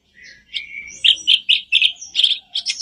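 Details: Black-browed reed warbler singing, a recording used to coax caged birds into song: a thin rising note opens, followed by loud scratchy syllables in quick succession, about three per second.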